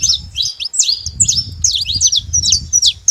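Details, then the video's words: A flock of wild saffron finches at a feeding place, calling in a busy stream of bright, clipped chirps and quick downward slurs, roughly two or three per second, with low rumbling noise behind. "rebanho de canário da terra na seva livre na natureza"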